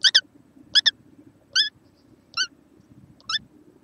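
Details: Small kookaburra on 6 November 2014 repeating brief upswept squeaky notes, some doubled, about every three quarters of a second over a soft low rumble.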